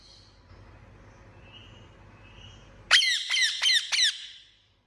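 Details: Pet Indian ringneck parakeet: after near-silent room tone, four loud, harsh, raspy squawks in quick succession. Each sweeps sharply downward and is rich in overtones, and they are spaced under half a second apart.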